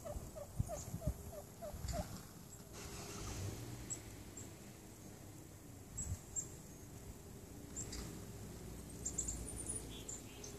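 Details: Wild turkeys displaying and communicating outside a home where they have stayed for two weeks; a run of about eight short, evenly spaced yelping notes in the first two seconds, followed by soft background noise.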